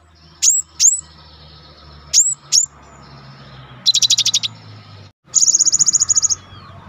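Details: Gelatik batu, or cinereous tit, recorded as a master to stimulate other birds: two pairs of high falling notes followed by two fast buzzy trills of rapid ticking notes, the last trill longer and even.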